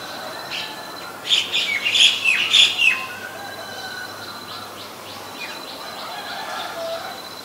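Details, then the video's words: Asian koel, male and female: a loud burst of shrill, rapidly repeated notes lasting about two seconds, followed by softer scattered chirps over a steady high-pitched background hum. "นกกาเหว่าตัวผู้และตัวเมีย (Asian koel, Male, Female)"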